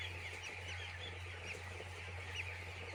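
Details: Poultry farm chicks peeping together in a continuous high, overlapping chatter, occasional louder slurred peeps near the end, over a constant deep droning hum.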